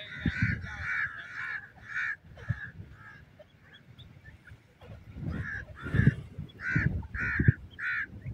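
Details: Grey francolin, or koti teetar, in the open: harsh, hoarse notes repeated in bursts, a quieter gap midway, then a louder run of rasping calls, with low thumping background noise.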